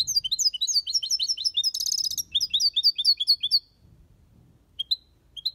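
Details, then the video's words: Caged European goldfinch in an aviary delivering the Malaga copy song: fast, tinkling twitters with a brief buzzy rattle in the middle, then a pause and a few isolated chirps. "Goldfinch song/ best chirping of the goldfinch | Jilguero Cantando copia malaga/ chardonneret chante"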